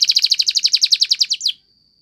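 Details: Belgian canary training song: a rapid series of about fifteen bright, buzzy chipping notes, evenly spaced and high-pitched, ending in a short upward flourish and then a fading thin whistle.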